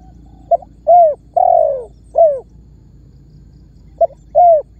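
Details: Spotted dove lure call meant to prompt other birds to answer; a short clipped note followed by mellow coos, the longest sliding downward, with a brief second phrase after a gap.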